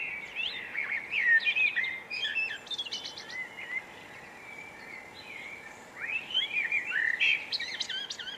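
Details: Hawfinch in Brittany, France, giving rapid, varied high chips and twittered phrases in two bursts, the first lasting about three seconds, then a pause, then the second, over light background hiss.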